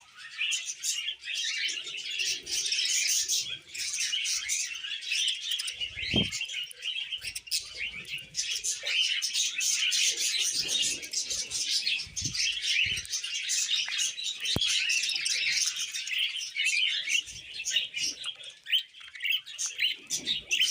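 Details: Tamed pet budgerigars chatter without pause, a dense mix of bright chirps, squeaks and warbling twitters.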